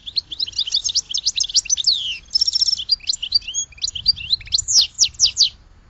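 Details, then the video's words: Rapid, continuous goldfinch twittering: a tumbling run of high liquid chirps, short trills and squeaky notes lasting around six seconds. "Goldfinch Song to Educate Newcomers to Their Call"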